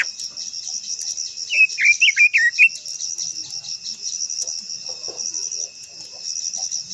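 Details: Japanese white-eye (quế lâm) with a long-voiced rousing song: a brief burst of high, rapidly rising and falling warbled notes mid-clip, set against a constant shrill insect buzz and faint scattered clicks.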